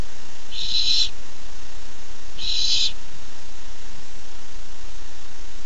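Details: Nest-camera barn owl owlet, 13 July 2015, keyed up for a food treat, gives two rough, breathy screeches about two seconds apart, then quiet background hum.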